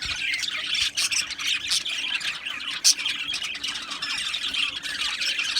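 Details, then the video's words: Budgerigars from an Australian aviary colony chirping and squawking together, continuous high chatter with a sharp isolated click just before three seconds. "Beautiful Australian Budgie birds Chirping Sounds | Budgie birds sounds"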